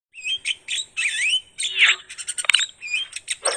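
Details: Starling (jalak) singing in the anak rimba style: a dense, varied run of whistles, slurred rising and falling notes and sharp chips, delivered almost without pause.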